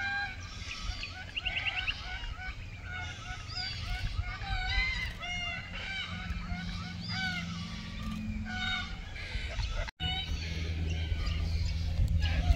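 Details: A group of red-tailed black cockatoos in Keep River National Park, June 2023, during mating. Dense, continuous chorus of rasping, rolling calls from several birds, with a sudden brief dropout near ten seconds.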